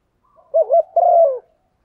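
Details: Female spotted dove cooing to stimulate a male, a call used as a lure for wild birds: one low phrase of two quick wavering notes followed by a longer, drawn-out coo that falls at the end.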